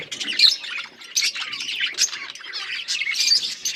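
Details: Budgies chirping: high, squeaky warbling chatter in uneven bursts, interspersed with thin whistled notes.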